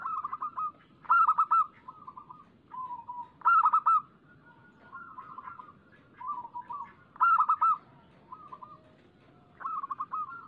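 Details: Local zebra doves singing, recorded to lure other doves into song: repeated bursts of loud rolling coo notes alternating with softer, lower drawn-out phrases. A loud burst comes about every three seconds.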